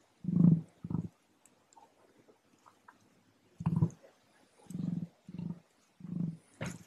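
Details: An emu in Western Australia gives deep, low thudding booms in short bursts, several pulses about half a second apart, with quiet gaps between and no other clear sounds.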